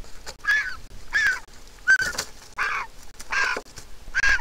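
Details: Begging griffon vulture chick at a nest in Israel, hatched 22 April 2021, calling as its mother arrives with food. Loud, hoarse squawks about every 0.7 seconds, each slightly falling.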